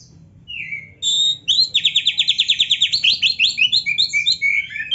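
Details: Oriental magpie-robin, a rich training song: a short descending whistle, then a long rapid chain of evenly repeated buzzy chirps, turning into varied bright whistled fragments.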